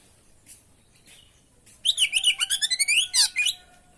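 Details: Oriental magpie-robin (kacer) in full, energetic lure song used as training material: after a quiet start comes a dense run of rapid, high, sharply modulated whistles and trills, pulsing about four times a second, then fading.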